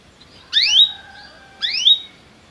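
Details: Belgian canary used as a singing-training model: two loud rising, slurred whistled notes about a second apart, each with a faint sustained tone after it, over light background hiss.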